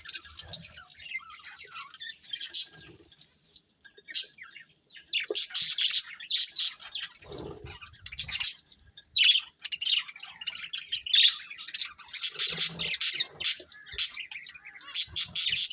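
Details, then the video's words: Colourful budgies chirping as they eat. Rapid, sharp high chirps and chattering warbles come in uneven bursts throughout, with soft knocks in between. "Colourful Budgies Chirping Sounds"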